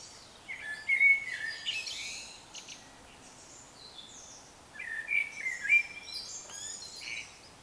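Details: Bird singing at 3 a.m. in a yard; two bursts of varied twittering phrases with whistled notes and trills around the middle-high range, separated by a few seconds of quiet background hum.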